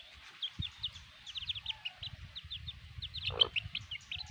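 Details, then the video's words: A black hen and her chicks, heard as quick bursts of thin high cheeping notes, some in tight clusters, with one louder lower squawk near the end and faint low background noise. "The Amazing Black Hen and her chicks"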